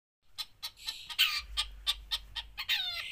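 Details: Long-tailed shrike in lively, full song, a series of harsh, clipped notes with broad overtones, spaced about a quarter-second apart, ending in a stretched, scratchy, descending phrase.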